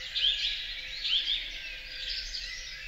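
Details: Song thrush in a large European forest: three short, bright high phrases about a second apart, set against a dense high chorus of other birdsong.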